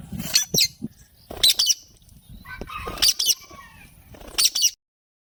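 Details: A pair of rose-ringed parakeets, shown flirting and playing together, give harsh, scratchy chattering bursts in four clusters about a second apart, mixed with soft wing flutters.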